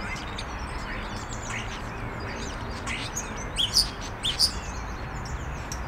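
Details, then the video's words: Evening starling perched on a branch among its flock, stretching and chatting; soft thin chirps run throughout, with a few sharper, louder squeaky notes near the end over low steady noise. "evening starling – stretching and chatting with friends"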